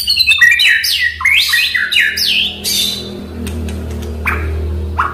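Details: Oriental magpie-robin singing to prompt a silent bird: a fast run of descending whistled slurs and squeaky notes, then sparse sharp clicks over a steady low hum.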